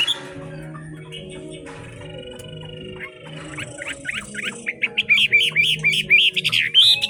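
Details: Chinese hwamei with a forest-type voice singing in fog, bursting into loud, rich whistled phrases of fast slurred notes at about four a second, after a quieter start with steady low tones like faint music.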